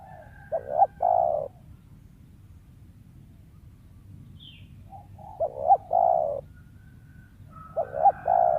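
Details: Wild spotted dove whose voice is sought for luring, noted for occasional stutters and kuk 1-2; three cooing phrases roughly every 3.5 seconds, each a short doubled note then a sustained mellow coo.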